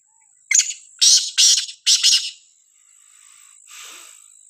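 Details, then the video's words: Black francolin, known locally as Sindhi kala teetar, calling in a village: a loud, harsh, grating phrase of four or five raspy notes over about two seconds, the last notes paired, then a faint trailing rasp, over a steady high insect hiss. "Sindhi Kala teetar ki khubsurat awaaz gaon mein"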